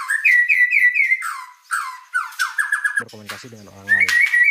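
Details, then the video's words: White-rumped shama singing vigorously, giving repeated ringing whistles and rapid descending trills, while a man's voice talks over the last part. "Suara Burung Murai Batu Gacor"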